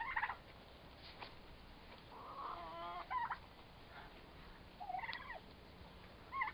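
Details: Pair of four-month-old turkey toms in a prolonged fight, uttering repeated short trilling yelps and upward-sweeping calls every second or two over quiet background.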